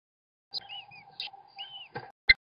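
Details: American kestrel family on a nest webcam, father feeding the chicks: thin whistled notes slurring up and down, soft chips and a few sharp clicks, over a constant low hum.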